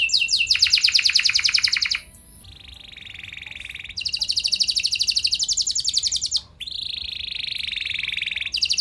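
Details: Canary song used to set other canaries singing: long dense rattling trills lasting about two seconds each, separated by lower, softer buzzy trills and brief pauses.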